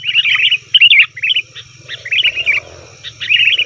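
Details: Sooty-headed bulbul calls used as a lure for wild birds: bursts of bright, bubbly chirping notes in short phrases, with gaps between, over a faint low hum.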